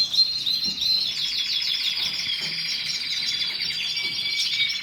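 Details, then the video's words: A canary's song of quick repeated chirps and downward-slurred notes forming rolling trills, the phrase shifting lower near the end; faint low clicks sound underneath. "Canary song تغريد الكناري کەناری"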